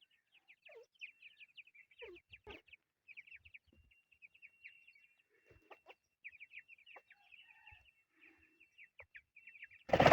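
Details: Several chukar partridge chicks keep up rapid, high, slurred peeps, some dropping in pitch, with scattered soft knocks. A loud burst of noise cuts in at the very end.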